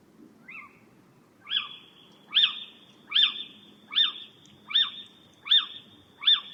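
Little owl giving eight sharp, high, mewing notes, each repeated roughly every 0.8 seconds, over a soft low rumble.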